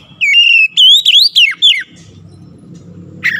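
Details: Goce bird, said to be among the sharpest to the ear, sings loud clear whistled notes rising and falling in a rapid run of about five phrases, then a low hum and a brief burst at the end.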